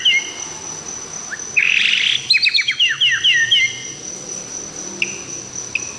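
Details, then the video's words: Wild-recorded white-rumped shama singing a melodious, varied song: clear whistled notes, a burst of rapid trills, then a descending run of quick slurred phrases, with a steady high insect drone behind. "Suara Burung murai asli, yang di rekam langsung."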